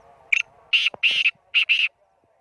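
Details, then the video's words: Black francolin calling while perched on a person's hand: harsh, buzzy, grating notes in a quick rhythm of one short note, two longer ones, then two more, with a faint low hum behind. "kala teeter hath par Bolta howa"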